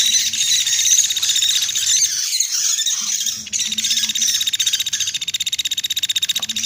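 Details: High, rapid chipping from a woodpecker lure track used to attract birds for trapping, about two to three notes per second, turning into an evenly pulsed, regular ticking run near the end.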